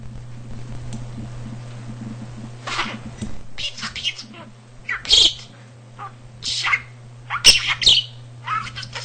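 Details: Pet budgerigar indoors, a talker with nearly 300 words and sentences learned by listening to household speech, also imitating the cat's purring; high, scratchy chattered phrases with sharp clicks after a quiet start, over a steady low electrical hum.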